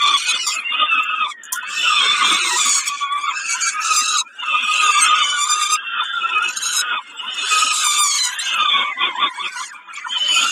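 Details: Snack time for a peregrine falcon at Kawęczyn, 20 May 2022: repeated raspy wailing screams, roughly every three seconds, each drawn out and broken by short dips.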